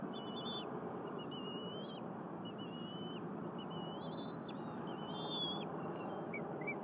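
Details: Bald eagle nestling at Berry College, Rome, Georgia, 10 April 2022, while its parents bring and share a squirrel. Camera at the nest. Clear whistled notes repeat in rapid uneven series over low broadband noise.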